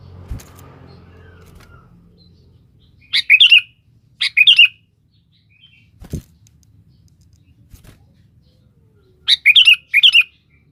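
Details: Sooty-headed bulbul calling a rival, used as a lure: two quick whistled phrases about a second apart, a long pause with a few clicks and knocks, then a longer run of three whistled bursts.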